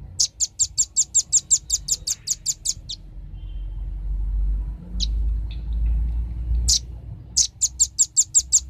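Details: Velvet-fronted nuthatches, male and female, lure recording: a long, even series of sharp, high chips, a gap with low rumbling and a few stray notes, then the quick chipping series resumes.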